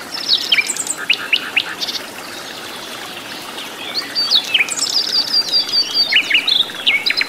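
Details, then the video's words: Wild flycatcher in natural habitat singing energetically, a quick jumble of high chirps and trills, some notes sliding downward, in bursts broken by a pause mid-way; soft background hiss like distant running water. "KICAU BURUNG SIKATAN LONDO GACOR DI ALAM LIAR"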